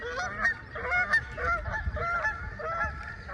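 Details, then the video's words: Geese fly over a pond by day, heard from a kayak, honking in a loose, overlapping chorus of nasal, two-toned calls, several per second, over low rumbling background noise. "Hear the geese going over."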